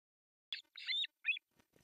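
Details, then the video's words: Breakfast feeding for three osprey chicks on an artificial nest in Finland's Pohjois Satakunta, July 1, 2024: a clipped squeak, a longer wavering squeal, then a short rising cry, with faint shuffling afterward. "Breakfast feeding to three osprey babies"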